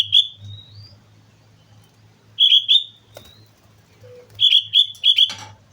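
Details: Energetic sooty-headed bulbul on Mount Slamet: a fluty note sliding upward, then a paired liquid phrase, a soft low note, and a closing run of four rapid bubbling whistles with a brief rustle.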